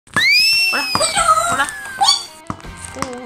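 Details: Pet grey parrot teasing its owner indoors: a long, loud rising then gently falling whistle, followed by chattering, speech-like harmonic syllables and short clipped sounds in a small room.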